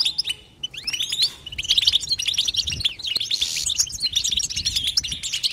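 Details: European goldfinch twittering without pauses: a dense run of bright, tinkling chirps and short trills, high-pitched and jangly, with a few rising whistled notes near the start and a brief soft lull before the twitter resumes.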